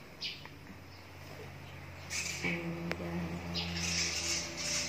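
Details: A colony of edible-nest swiftlets nesting inside a house, entering around 5:30 pm and leaving about 5 am, gives sharp twittering chirps in scattered bursts, building to overlapping chatter, over a steady low mechanical hum.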